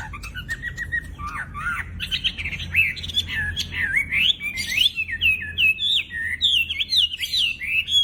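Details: Chinese hwamei, a loud-singing cage bird that imitates other species, building from soft calls into a rich, quick flow of warbled whistled phrases rising and falling.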